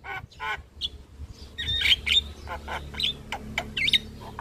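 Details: Javan myna song used as a lure and tutor for young mynas: a varied mix of harsh buzzy notes and thin high whistles in irregular bursts, with a steady low hum underneath.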